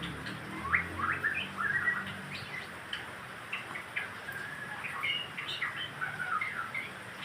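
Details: White-rumped shama singing to encourage other birds to sing, a lively run of short whistled notes, chirps and slurred phrases delivered in quick bursts, with faint low humming underneath.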